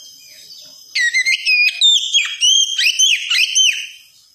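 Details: Oriental magpie-robin song meant to coach a young bird into 'wikplong' singing: about three seconds of loud, pure whistled notes, rising and falling slurs delivered rapidly in a continuous phrase over a constant high-pitched tone.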